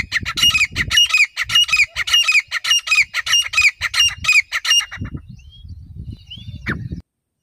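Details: Wild grey francolin, locally called teetar, calling loudly: about ten harsh, rhythmic notes roughly every half second, each with a sharp ringing accent, then silence broken by low rumbling noise and a short faint whistle.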